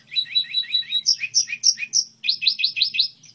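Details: Goldfinch hybrid song phrase: repeated paired chirps at a fast even pace, then a run of higher, drawn-out sweeping notes, and finally a brisk series of rising-falling chirps; clear and close, faint low hum.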